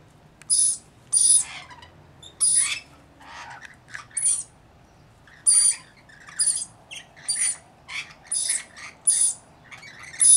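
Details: A flock of about 40 Rainbow lorikeets tending a single baby. Rasping, screechy bursts come in an irregular series, some with a piercing high whistled edge, and lower gritty notes fill the gaps.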